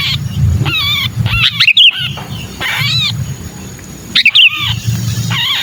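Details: Sooty-headed bulbul 'kejepit' distress cry for luring bulbuls: arching nasal squawks roughly every second, two brief bright whistles, and a faint high steady tone, over low rumble.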